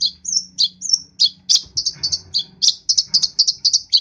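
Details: Long-tailed shrike from East Java, singing full of varied filler: several high whistled and downslurred notes, then quick, evenly spaced bright chirps running roughly four a second to the end.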